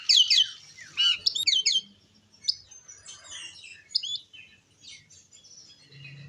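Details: Oriental magpie-robin song meant to provoke other magpie-robins: loud rapid falling whistles at the start, then quieter scattered chirps and whistles, with a low hum near the end.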